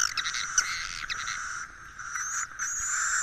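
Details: Roosting-lure recording of swiftlets: continuous shrill twittering chatter with a high piping band, a brief dip in loudness midway, then rising again with rapid clicky notes.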